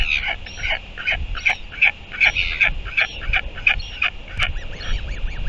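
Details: Nest camera in New Zealand, afternoon of 24 February 2023: royal albatross sky calling while the mother feeds her chick, rapid bursts of brassy harmonic notes, roughly two or three per second, with a few thin rising squeaks mixed in.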